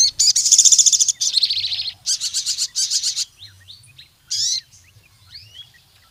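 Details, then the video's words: ['Lively sogon, or Crimson sunbird, singing to call out rivals and as a lure for wild birds: several rapid, high, buzzing trill bursts separated by short pauses, then a brief sharp twitter and thin scattered chirps.'] "Sogon Gacor MEMANGGIL LAWAN, suara burung sogon untuk pancingan masteran sogon manapun jadi gacor"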